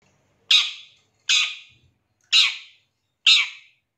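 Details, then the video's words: Long-tailed shrike, used as a lure recording to make shrikes sing quickly and get worked up: four loud, harsh, rasping squawks, each short and falling away, spaced about one second apart, on a silent background. "Pancingan Suara Pentet Bahan Agar Cepat Bunyi & Emosi ~ CENDET"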